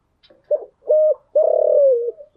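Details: Caged spotted dove in the morning: two short hoots, then a long, loud, rough coo that falls slightly in pitch, and the start of another note at the end.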